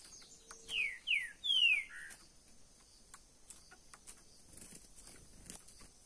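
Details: Green-winged saltator, called trinca-ferro verdadeiro, caged, gives three sharp descending whistles in quick succession. Soft clicks, taps and faint rustling noises follow.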